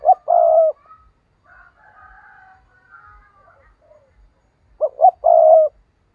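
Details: Decoy spotted dove in the 'giọng thổ' voice style, used to provoke and draw in wild rival doves. Low cooing phrases: short quick coos leading into a longer hooting coo, repeated about five seconds later, with faint higher chirps from other birds between.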